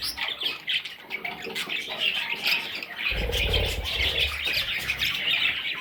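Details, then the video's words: A group of parrot chicks keeps up a busy rasping chatter of short chirps. A low rumbling noise comes in partway through. "Parrot Chicks"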